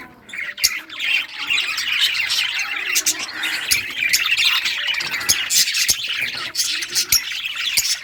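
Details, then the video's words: Several budgerigars of rare colour varieties chirping while playing with toys, recorded June 18, 2023; a dense, continuous chatter of scratchy warbles and squawks, with sharp clicks and taps scattered throughout. "Budgies all rare colors playing and chirping sounds playing with toys"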